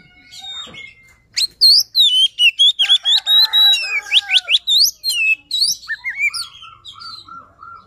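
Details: Kacer luring song: loud rapid bursts of high, sweeping whistles and clicks with a rasping undertone, ending in a short series of steady, evenly repeated mid-pitched notes.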